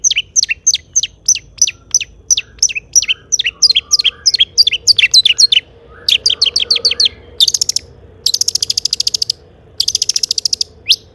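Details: Long-tailed shrike delivering a mimicry-filled song to set other shrikes singing: quick descending whistled notes in rhythmic runs, then fast even rattling trills with short gaps.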